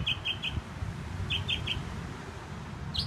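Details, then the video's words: Northern mockingbird on a sign in Herndon, Virginia, giving three bright repeated chirps, a short pause, three more alike, then a different rising note, with a continuous low rumble underneath. "Singing Mockingbird"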